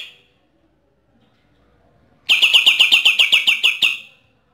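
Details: Bornean green leafbird (Chloropsis kinabaluensis) from East Kalimantan, Borneo, gives a brief high note and near silence, then a rapid machine-gun burst of about a dozen sharp, ringing notes in under two seconds.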